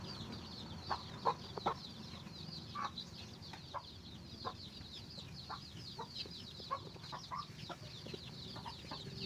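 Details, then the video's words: Chicken locating food for its babies: dense, overlapping high peeps sliding downward, mixed with irregular short sharp clucks and pecking taps. "Chicken find a food for their baby"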